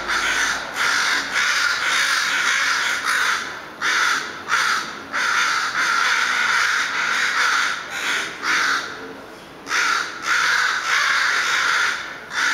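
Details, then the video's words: Harsh, raspy cawing from crows or ravens during a long calling session. The calls come in uneven runs of short, grating notes with brief gaps, keeping up steadily for over twelve seconds. "Crow Serenade"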